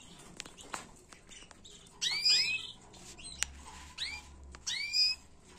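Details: Canary singing a tutor song meant to teach young birds, recorded in 2022: sparse bright chirps and upward-sweeping whistled notes in short bursts, separated by pauses, over a faint background hiss.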